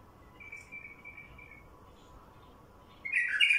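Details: Wild bulbul singing, used as a lure for other wild bulbuls: a faint, drawn-out warbled phrase early on, then a loud burst of bright, rich notes at the very end over a steady low hum.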